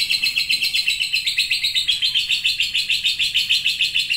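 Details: Contest lovebird delivering sustained ngekek: dense, shrill chatter with steady rhythmic pulses, unbroken for the whole stretch and gradually slipping slightly lower in pitch.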